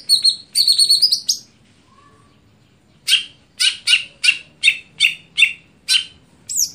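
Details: Greater green leafbird in stelan song: an opening fast trill of repeated high notes, a brief silence, then a steady series of about ten loud buzzy chirps roughly every half second.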